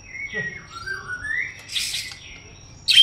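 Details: White-rumped shama song with clear whistled notes sliding up and down, then a burst of harsh noisy rasps and a sharp final squeak, over faint background rustle.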